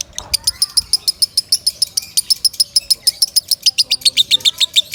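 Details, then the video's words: Lovebird giving its strong training song for other birds: quick, bright chirps repeated rapidly at an even pace, high-pitched, with faint background twitter below. "Suara Kencang Lovebird"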